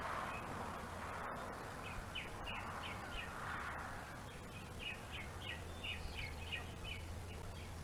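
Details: Bald eagles at a webcam-watched nest on Gabriola island, one mantling and keeping prey while another waits its turn to steal; a run of high, thin chittering notes, about three each second, over constant broadband hiss.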